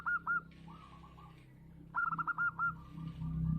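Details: A local zebra dove, called perkutut lokal, sings loud and keenly: throaty rolling coo phrases of quick repeated notes, a softer trailing run, then another full phrase, with steady low rumbling hum underneath.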